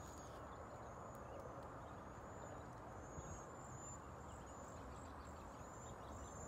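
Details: Migrating cedar waxwings in San Antonio, Texas, ahead of a freeze, giving a run of faint, extremely high, hissing trilled notes, several overlapping, against constant low-pitched outdoor noise.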